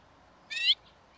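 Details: Lesser redpoll filmed from a bird hide near Emmen, Netherlands; one short buzzy call, rising slightly and lasting about a quarter second, against a quiet background.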